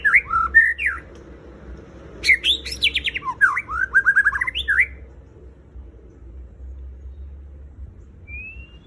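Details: White-rumped shama (murai batu) singing a lure song meant to train captive birds to sing: bursts of clear, varied whistles sliding up and down, a rapid run of rising notes near the middle, then near silence over a steady low hum.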